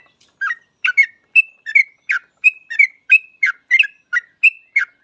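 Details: Yellow-vented bulbul singing actively as a lure to make other bulbuls start singing: a steady, unbroken string of about fourteen liquid, chattering chirps, some with short whistled tails, roughly three per second.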